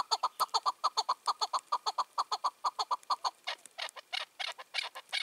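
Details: Evening call of a wild chukar partridge, a five- to six-year-old male dominant over nearby males: quick even chuk notes that turn rougher and more broken in the final seconds.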